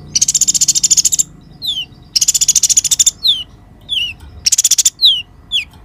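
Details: Konin white-eye song used as a lure to train other songbirds: three bursts of dense, buzzy high trills, each followed by sharp, descending whistled slurs, repeated about every two seconds.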